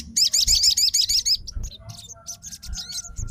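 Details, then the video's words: Rapid, regular volley of piercing, looping high notes from a fighter sogon answering another sogon, fading into sparser chirps with a faint hum behind. "SOGON FIGHTER LANGSUNG RESPON DENGAR SUARA SOGON GACOR"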